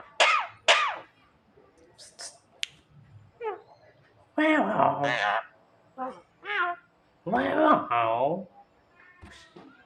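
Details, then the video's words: Javan myna mimicking a person coughing: a varied run of harsh, harmonic calls, some falling and some wavering, with short sharp notes at the start and louder drawn-out bursts later. "suara jalak kebo menirukan suara orang batuk"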